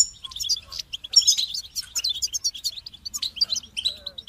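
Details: Goldfinch singing a bright, uplifting song: rapid twittering run of high, tinkling notes and short buzzy trills, dense and continuous across the whole stretch with brief dips between phrases.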